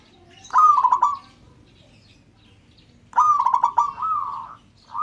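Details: A local zebra dove calling to draw answers from other birds: two separated phrases of rolling, pulsed cooing, the second drawn out into a longer trailing note, over a quiet low hum.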